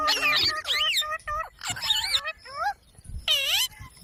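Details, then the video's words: Talking parrot uttering voice-like harmonic syllables with wavering pitch, in short phrases broken by brief pauses. "Parrot Sound Videos | Parrot Sounds | Parrot Video | Talking Videos Compilation"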